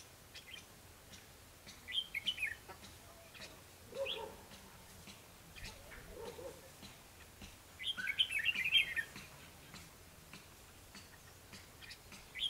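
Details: Red-whiskered bulbul fighting song used as a lure for trapping, 21 December 2015: two bursts of bright, jumbled whistled notes about six seconds apart, with quieter low chatter between and faint background hiss.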